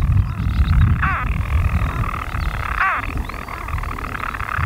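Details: European storm petrels, unseen in burrows, heard in daytime on 5 June 2013 on Skokholm, Pembrokeshire, Wales, give a continuous low, rough purr broken twice by a sharp, sweeping hiccup note about two seconds apart; they are seldom heard by day.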